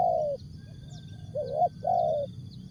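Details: Spotted dove in Asia singing a short jergot, tapau and bungkus style song: a long low coo, a faint slurred note, then a rising two-part coo. A steady high thin hum and low rumbling background run throughout.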